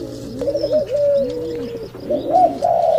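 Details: Mating male pigeons give two low drawn-out coos under a longer, level, higher drone, then a rising brighter note near the close.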